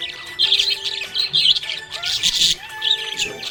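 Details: Happy budgerigar chirping: rapid warbling, scratchy chirps in bursts, with steady music tones underneath.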